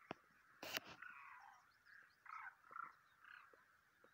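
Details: Demoiselle cranes on migration in March 2023, giving rolling, rattling calls in short bursts that come every half second to second, with sharp clicks and knocks in between and a faint background hiss.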